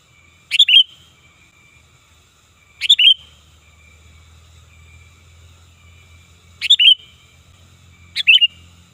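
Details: Loud sooty-headed bulbul lure call, also used to tutor other birds. Four short bubbly phrases come at uneven gaps of two to four seconds, each a quick chirp cluster ending in a whistle, with a faint low hum behind.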